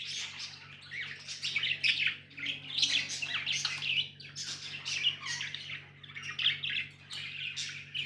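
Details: Budgies warble and chirp without break, bright scratchy notes tumbling over one another, with a faint low hum beneath.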